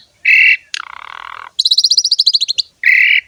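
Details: Jalak suren, the Javan pied starling, in full 'ngerek' song: a harsh buzzy burst, a lower grating rattle, a fast run of high clicking notes and a final rasp, separated by short pauses.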